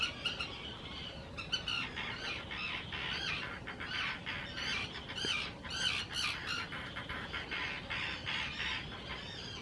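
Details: Spring 2018 colony of common terns on nesting islands in Israel's Hula Nature Reserve, noisy in courtship as they claim nest areas. Many harsh, overlapping squawks from several birds form a busy, chattering chorus.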